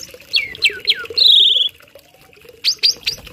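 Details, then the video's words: Tame Asian pied starling singing as a model for other birds: three falling whistled slurs, a long rapid trill, then a pause and two sharp rising whistles. "Burung Jalak Jinak Isian Nembak || Cocok untuk masteran burung lain langsung nyaut"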